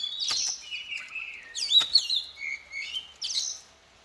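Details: Female Oriental magpie-robin song meant to set off the males: quick sequence of clear whistled slurs, buzzy chirps and sharp notes in short, varied phrases.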